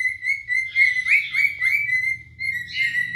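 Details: Adult cinnamon cockatiels, a pair, singing and showing off for a mate: an even whistled tone with warbled flourishes, over a low steady indoor hum.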